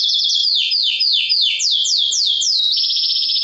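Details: Male canary singing to excite females for mating and to train other birds: loud, high sweeping notes falling from high to mid pitch, repeated about three times a second, ending in a steady buzzy trill.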